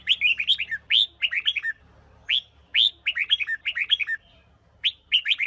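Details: Huế red-whiskered bulbul, a bird being trained and stimulated to sing for competition, delivering rapid bursts of bright, fluttering whistled notes in clusters of four to six, each burst separated by short pauses, over a faint low hum.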